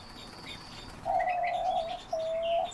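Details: Captive Chestnut-tailed starling (Sturnia malabarica) giving two long, steady, mid-pitched whistles, the first nearly a second long, with faint higher chirps above and a quiet background.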